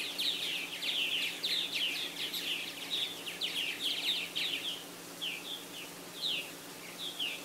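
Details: Busy purple martin colony in South Florida, 24 April 2012, nesting in aluminum houses and gourds; a thick run of overlapping chirps for five seconds, then sparser separate chirps near the end.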